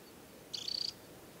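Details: Temminck's stint, adult in summer plumage and ringed, on Norway's Hardangervidda mountain plateau at Tinnhølen lake in early July: one quick, high, pulsing trill, roughly a third of a second long.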